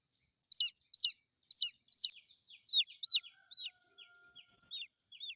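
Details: Chicken chicks peep for the mother hen, high, sharp chirps about twice a second, several loud ones followed by softer overlapping peeps from other chicks.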